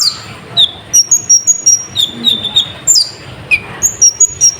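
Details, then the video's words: Sunbird lure song: quick high thin whistles and slurred downward chips, delivered in irregular rapid bursts, with soft background hiss. "Pancingan Burung Konin Gacor Full Isian ⁉️ Efektif Untuk Menaikkan Emosi Burung"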